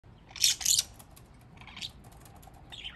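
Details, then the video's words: Pet budgerigars playing in water give two loud, scratchy high chirps in quick succession, then softer chatter near 1.8 and 2.8 seconds. "Budgies having fun"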